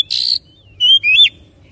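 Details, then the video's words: Lure song of an oriental magpie-robin meant to stimulate another bird to sing: a harsh buzzy burst, a pause, then two clear whistles, one rising and one dipping and falling. "PANCINGAN SANGAT AMPUH KACER CEPAT GACOR NGOTOT BONGKAR ISIAN"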